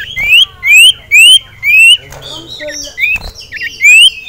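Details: Caged male Ashy Tailorbird (sirtu) roused by a rival male and a female, giving loud rising whistled notes in a quick series, each upslurred, several per second, then looser twittering and chips from other birds.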